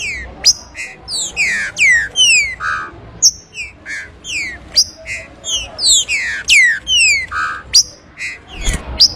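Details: Trinca-ferro (green-winged saltator) 'abrir canto' song: rapid run of bright descending whistles and short buzzy notes, phrases tumbling one after another with brief pauses, over a quiet low rumble.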